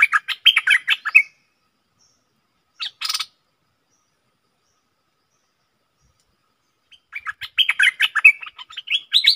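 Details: Bulbul kept as a decoy, calling to wild birds: rapid chattering runs of sharp chirps, a brief harsh rasp, a long silence, then another burst of quick mixed notes.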